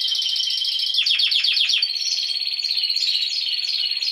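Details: Spanish timbrado canaries in song, an adult from last season among young learners: a bright rolled trill, then a run of fast descending clicks about four per second, then higher bell-like rolls.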